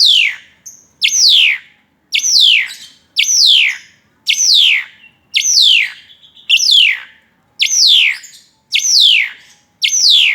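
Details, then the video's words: Insistent song of an Asian pied starling that flutters its wings as it sings, a chain of ringing downslurred whistles, each dropping sharply in pitch, delivered roughly every second with near-metronomic regularity over a quiet background. "JALAK SUREN GACOR SETENGAH MATI SAMBIL TRIPING"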